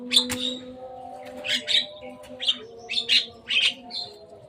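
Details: Javan myna playing on a cage roof: short, harsh, buzzy call bursts repeated irregularly, set against a constant low mechanical hum.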